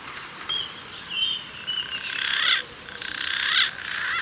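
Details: In the early morning at a Bangkok temple, a Pink-necked Green Pigeon calls from the treetops: strange, high, wavering whistles, several drawn-out notes that rise and fall, over a steady background hiss.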